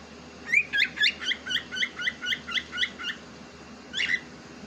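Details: A pet cockatiel said to talk in Urdu produces a quick, even run of about twelve chirped notes, roughly four per second, then pauses before one final louder chirp.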